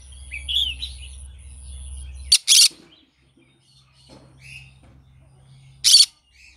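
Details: Green-cheeked conure singing in the morning: soft chirps, then a loud two-part rasping screech, scattered quiet notes, and a final harsh squawk followed by a brief chirp.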